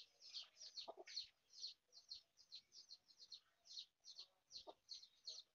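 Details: Mother hen foraging with her brood: a rapid stream of high, thin chick peeps, roughly two or three a second, broken by a few low, short clucks near the start and again later.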